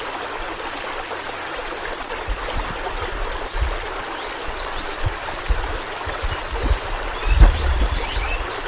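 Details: Kalimantan's endemic yellow-rumped flowerpecker, a roughly 10 cm fruit eater, used as a tutor song for caged birds: sharp high-pitched chips in doubled bursts, a couple of thin slurred whistles, steady soft background hiss.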